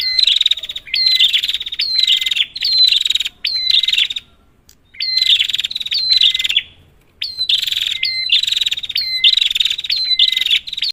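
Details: Lure calling of a red-headed prinia, meant to stir a silent prinia into song. Dense buzzy chatter phrases, each starting with a clear flat whistle, follow in quick runs. Two short pauses break the runs near the middle.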